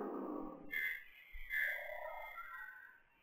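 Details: A young northern goshawk, seen in the afternoon at a kingfisher camera, gives two drawn-out, high, wailing calls, the second longer and sliding lower, after a brief burst of rustling noise.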